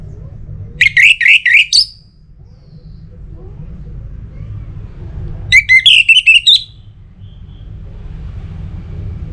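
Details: Orange-headed thrush sound meant to stir other birds into song. Two separate bursts of rapid, chattering, rising notes come about five seconds apart, each lasting around a second, with steady low background hum between them.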